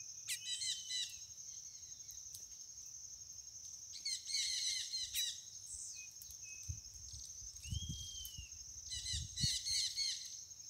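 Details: A white mutation chestnut-bellied seed finch sings bursts of quick, bright chattering notes mixed with a few clear, sliding whistles, over a steady high-pitched drone and faint low thumps.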